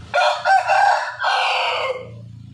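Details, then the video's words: A white rooster crows loudly: a harsh, broken crow in two parts lasting about two seconds, the second part held longer and fading out, with a low hum underneath. "Ayam Jantan Putih Berkokok"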